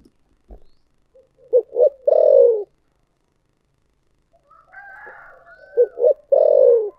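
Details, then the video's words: Spotted dove repeating its 'thổ sấm' (thunder-voice) phrase twice, a few seconds apart: stuttered short coos leading into a long descending throbbing coo; another bird's higher warbling notes sound between the phrases. "chim cu gáy giọng thổ sấm chuẩn nhất"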